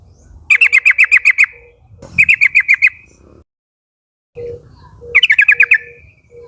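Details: Yellow-vented bulbul calling flock mates of a young wild group to respond; three fast bursts of bright, evenly chattered notes with trailing tails, faint repeated low tones in the background.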